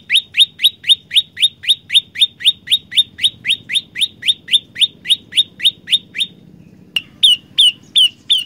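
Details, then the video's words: Olive-backed tailorbird song with three variations: fast series of sharp, downslurred chips repeated about four per second for six seconds, a brief pause, then a slightly different set of clipped notes. "Burung Prenjak Lumut Gacor Suara 3 Variasi"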